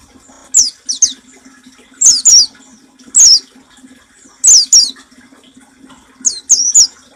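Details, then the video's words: Oriental white-eye singing in the 'nembak' style meant for tutoring caged birds: piercing high notes sweeping downward, grouped in pairs and triplets at roughly one-second gaps, with a soft steady hum underneath. "Suara burung masteran pleci nembak paling ampuh"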